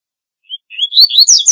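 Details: A single song phrase from a double-collared seedeater, opening with a thin whistled note, then a run of rising chirps that speeds into a bright, buzzy trill.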